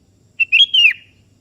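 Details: One phrase from a sooty-headed bulbul calling a rival: a short clear note, then a liquid whistled warble that rises slightly and dips at its close, in a quiet background.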